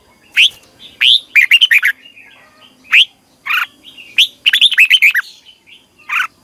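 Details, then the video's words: Morning song of a red-whiskered bulbul in long twisted double-voice style, used for training birds in competitive singing: single rising whistles alternating with fast runs of five or six looping, slurred notes. "Ép chào mào hót Giọng kép xoắn dài"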